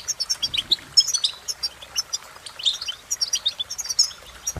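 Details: Bright, close goldfinch song: loud, rapid twittering of sharp high chirps and liquid rising notes in nearly unbroken sequence, ending with a short click.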